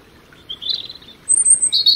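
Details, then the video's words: Robin song fragments: a soft warbled phrase followed by a pure high whistled note and a bright burst of sharp twittering. "Relaxing Birdsong European Robin"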